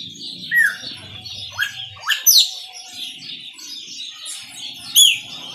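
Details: Chopi blackbird song in the Maranhãozinho style: a few scattered whistled notes, several sweeping steeply upward, one loud ringing slur near the end, with quieter gaps filled by soft high chatter.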